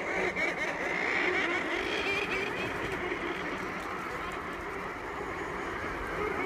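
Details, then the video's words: Murres at a breeding colony on Coats Island, Nunavut, heard close up: a continuous dense roar of many overlapping growling calls, steady throughout with no breaks. "Sounds from a Murre Colony"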